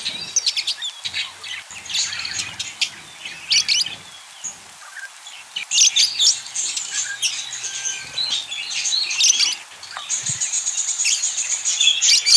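Budgerigars chatter in quick, high, scratchy chirps and warbles that run on almost without pause.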